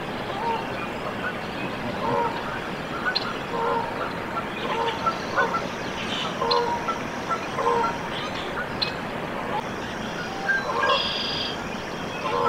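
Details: Canada goose at a nest where goslings hatched, Decorah, Iowa, USA, 14 April 2024. Short harmonic honks repeat about once a second over steady outdoor noise, with high trills and chirps from other birds.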